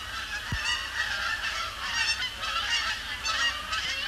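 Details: Several Canada Geese circle and come down onto Sapsucker Woods Pond after sunset on an overcast October evening in 2017; a loud, continuous chorus of nasal honks swells repeatedly, with a single low knock early on.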